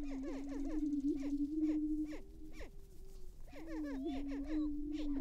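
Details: Greater prairie-chicken lek in northwest Minnesota, cold frosty April morning, males battling while females watch nearby: quick repeated arching cackles over an unbroken low hum, a short lull, then more cackling.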